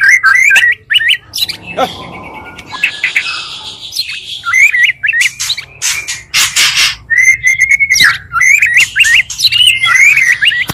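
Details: Two magpie-robin singers combined to provoke other magpie-robins; whistled phrases repeated at an irregular pace, scratchy noisy passages, and clear slurred whistles in the second half.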